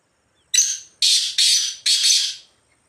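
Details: Black francolin roaming free in the wild gives a harsh, grating call: one short rasping note, a pause, then three longer scratchy notes in quick succession, all within two seconds, against a quiet background.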